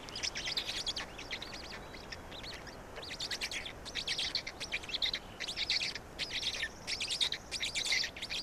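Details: Estonian black stork nest at feeding time, 16.05.2019, 16:58: rapid rasping high-pitched chirps in irregular clusters, rising and falling in loudness, with constant faint hiss behind.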